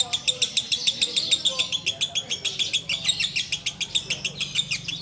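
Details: Ngekek singing by a sooty-headed bulbul in the hours before breaking the Ramadan fast: steady bursts of sharp, high chattering notes at about four per second, slightly uneven in strength, over a soft low background hum.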